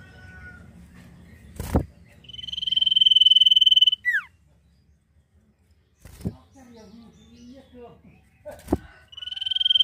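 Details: Common iora singing nyiul phrases: a swelling, rapidly pulsed high whistle ends in a steeply falling slur. After a pause with a few soft chirps and knocks, another pulsed whistle starts. Heavy thumps punctuate the recording.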